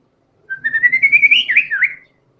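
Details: Energetic white-rumped shama singing its fill-in phrases: a clear whistle that rises steadily, then breaks into two quick looping slurs, all within about one and a half seconds.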